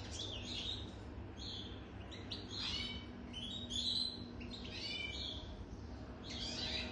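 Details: European goldfinch older than three years singing at moderate volume: separate bursts of chirpy, twittering notes with short gaps between them, over a low hum.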